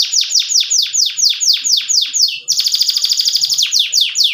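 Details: Loud, close canary song: a string of sharp descending whistled notes about four a second, then a dense, buzzy rapid trill.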